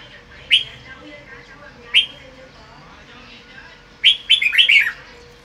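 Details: Red-whiskered bulbul singing while sunbathing in the afternoon, showing off its 'bọng' song style: two sharp, bright chirps about a second apart, then a quick tumbling burst of slurred whistled notes, over a steady low hum.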